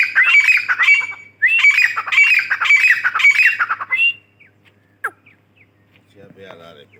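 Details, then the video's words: Female grey francolin (Dakhni teetar) calling loudly: harsh, squawking phrases repeated in quick succession for about four seconds, then a pause with a single sharp click and a faint rough sound. "Female Teetar voice"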